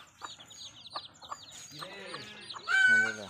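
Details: Desi village hen with baby chicks in Bangladesh: short clucks and chick peeps, then a louder harsh hen call near the end with a steady tonal note.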